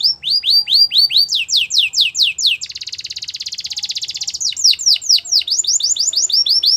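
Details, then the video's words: A Belgian canary's morning song: repeated falling whistles that speed up, a long fine rapid trill, then more rows of quick downslurred notes, clear and high-pitched. "Belgian canary singing every morning"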